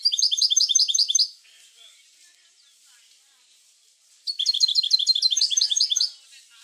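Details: Goldfinch song for prompting other goldfinches to sing: two dense bursts of rapid, rhythmic, high tinkling notes about a second or two each, separated by a nearly silent pause of roughly three seconds.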